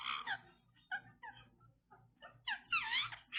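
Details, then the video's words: Indian ringneck parrot kept as a pet. Short, soft squeaky notes are spaced out over a low background hum, ending in a louder, tumbling warble. "The Indian Ringneck Parrot Making Beautiful Sounds"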